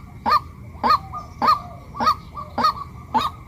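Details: Female white-breasted waterhen calling: six brief, rising, honking notes spaced about half a second apart, in a regular rhythm over a background hum.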